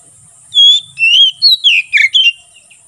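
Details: Oriental magpie-robin in ngeplong singing style, meant for tutoring other birds and luring wild ones in forest: a brisk phrase of six loud whistled notes, first long and level, then short falling slurs.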